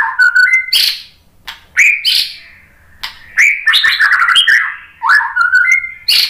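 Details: Varied song of a White-rumped shama, played to provoke rival shamas to sing back: sweet slurred whistles mixed with harsh chips and quick trills in separate phrases, louder and busier toward the middle.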